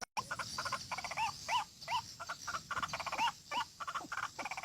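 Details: Lure recording of white-breasted waterhen calls used to attract birds for trapping in Kalimantan: quick bursts of rough, stacked notes interleaved with brief upward-sliding whistles, coming in irregular runs.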